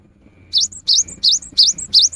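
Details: Five loud, swooping high whistles, each ending in a short brighter note, delivered rapidly by an energetic cinereous tit singing as a rainy-season lure.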